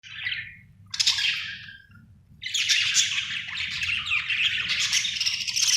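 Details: Happy pet budgerigar chirping: bursts of bright, scratchy warbling chatter, a short note, then a longer squeaky passage and a sustained run of fast, buzzy twitters that continue to the end.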